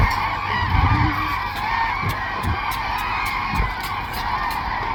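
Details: A flock of 500+ migratory common cranes (Grus grus) resting together in a wetland at Thol Lake Bird Sanctuary, Gujarat, India, in migratory season, calls in a steady wall of overlapping trumpeting notes, with a few low thumps of wind or handling.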